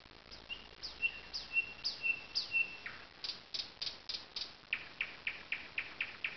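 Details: Nightingale in full song in alders by a lake at Zawady Oleckie: a series of loud, pure, sustained whistles, then sharp downslurred notes repeated about twice a second in a steady rhythm, with a quiet background.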